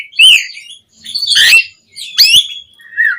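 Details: Asian pied starling, caged, calling to stir other birds to sing: three loud, harsh, squawking notes spaced about a second apart, ending with a softer descending whistle.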